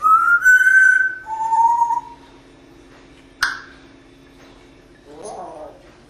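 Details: A pet parrot at a window in Las Vegas, Nevada, gives two clear sustained whistles, the second lower, then a sharp click-like sound effect and a short buzzy note.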